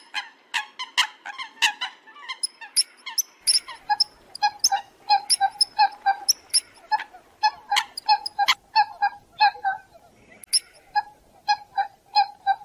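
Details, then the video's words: Coots used as a hunting call: several birds give short, harsh, nasal notes, overlapping in a rapid, uneven clatter of about one or two calls a second. "Coot Bird Call"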